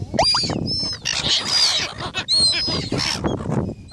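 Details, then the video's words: Gulls fighting for food: a rapid, near-continuous chorus of hoarse, strained squawks and yelping cries, with sharp rising notes at the start and piercing high whines over the din. "Seagulls fighting for food"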